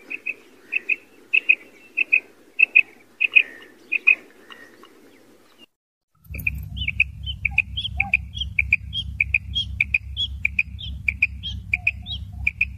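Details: Female quail calls used to aid quail hunting in wheat fields: short sharp high chirps repeated in steady series, about one to two per second, then continuing over a constant low engine-like hum.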